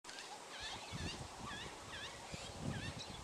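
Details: Superb starling in Tarangire National Park, Tanzania, recorded 25 August 2010: repeated chattering, warbling phrases with up-and-down slurred whistles, over low rumbling background noise.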